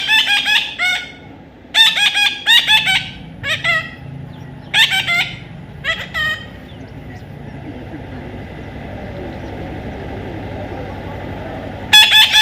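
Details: Baby Indian ringneck parrot being tamed, calling in harsh, buzzy bursts of three to four squawks separated by short pauses. The calls fade into a low background rumble before one last squawk.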